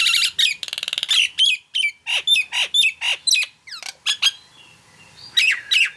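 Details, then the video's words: Nias hill myna in full voice: a rattling buzzy burst opens, followed by clear whistles with sharp upward and downward inflections and harsh squawks, ending in a quieter stretch and two final calls. "JALAK NIAS GACOR"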